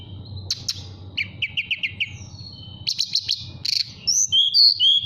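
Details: Relaxed fluting song of a caged mountain tailorbird in Purworejo, Central Java, calling a female: a string of evenly spaced falling chirps, brief buzzy bursts, then clear high whistled phrases.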